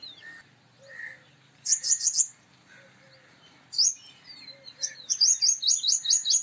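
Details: Male Purple Sunbird producing short bursts of high, bright metallic notes, building into a longer rapid ringing series, with faint chirps from other birds in the background.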